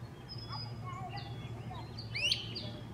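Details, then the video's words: A great crested flycatcher in forest canopy gives one strong upswept whistle near the end. Several other birds twitter and whistle throughout, over a low steady hum. "Echoing Great Crested Flycatchers"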